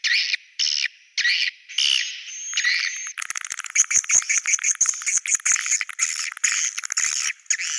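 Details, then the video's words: Swiftlet sound called Goa China: a few separate buzzy chirping phrases with short pauses, a thin whistled note, then a dense rapid twittering chatter running on steadily. "Goa China SUARA BURUNG WALET"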